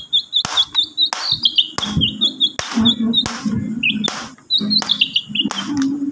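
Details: Magpie-robin 'fighter' song used as a lure to set silent magpie-robins singing again: bright, slurred whistled phrases repeated in quick succession, broken by sharp clicks and over a low steady hum.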